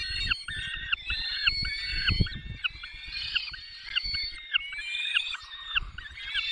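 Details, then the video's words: Peregrine falcons being fed in the Barycz Valley on 20 May 2021, 10:22: a steady series of short, arched, wailing cries, roughly one and a half per second, over a low rumbling background. "Karmienie 10:22 Dolina Baryczy 20 05 2021 sokół wędrowny"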